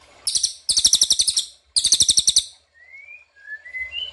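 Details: Lure call of an ashy tailorbird used to make birds reply: three bursts of rapid high buzzy pulses, each under a second long, then soft rising whistled slurs.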